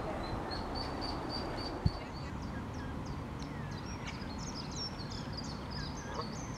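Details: High squeaky peeps from a family of baby ducks following mother duck at Iffley Lock, River Thames, Oxford; rapid, closely spaced thin notes, some rising or falling, many overlapping, with one sharp knock and low background hum.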